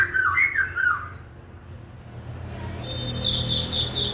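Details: Songbird opening with a burst of rich, slurred warbling phrases, a quiet pause, then a thin, high, even trill held to the end.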